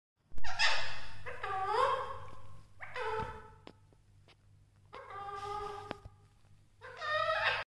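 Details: Talking parrot mimicking speech indoors: five nasal, squawky, word-like phrases in separate bursts, some rising and falling in pitch, with brief pauses between them.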